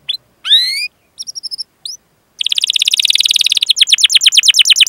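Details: Canary singing a long cuit-cuit rolling song meant to prompt other canaries to sing: clear upward-sweeping whistles and short chips, then a fast buzzy trill rolling on without pause.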